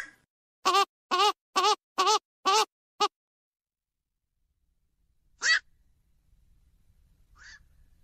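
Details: Night heron giving a quick run of six hoarse, nasal, quacking calls about half a second apart, then a pause and two more single calls, one fainter.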